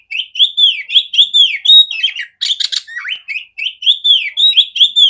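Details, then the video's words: Clear, powerful song of a female oriental magpie-robin, played to teach other magpie-robins. Repeated arching whistles alternate with rapid trills and one grating chatter. The notes keep coming with barely a gap. "Terapi burung kacer betina suara besar jernih kacer jantan"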